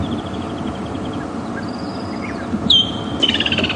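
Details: A distant Woodland Kingfisher on an afternoon safari drive at Djuma Game Reserve, 23 December 2015, gives a sharp high note, then a fast trill; faint chirps come earlier, over a steady low engine-like rumble.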